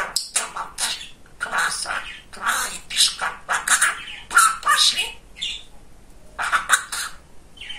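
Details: Chatty pet budgerigar, a young male, babbling at length: dense, rapid series of squeaky, buzzy speech-like syllables with occasional sharp chirps, almost continuous for about five seconds before a short pause and more chatter.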